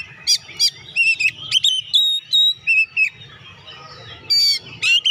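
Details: Oriental magpie-robin giving clear whistled song phrases, played to make reluctant magpie-robins sing; steady level whistles alternate with quick chips and slurred notes in a relaxed rhythm.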